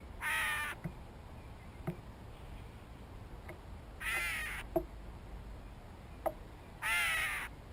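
A Gray Catbird gives three harsh, nasal, cat-like mews, each under a second long and spaced about three seconds apart, with a few faint clicks between them.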